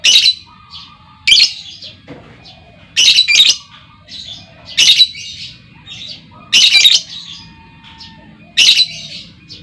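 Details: Female lovebird calling as a lure to set other lovebirds trilling; sharp, harsh squawks in short doubled bursts, repeated roughly every one to two seconds, with soft chatter between and a faint steady hum behind.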